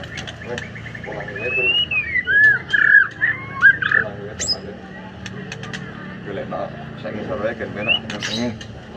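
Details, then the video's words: White-rumped shama (murai batu) singing in the afternoon: loud slurred whistles and varied warbled phrases in a burst, with other faint chirps and low background hum. "Bahan Murai Batu Gacor"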